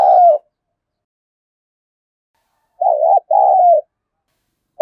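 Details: Spotted dove contest cooing in the 'giọng thổ' voice style, meant to spur rivals to fight and coo fast: a clipped coo at the start, then a low two-part hooting phrase near three seconds, another beginning at the end, silence between.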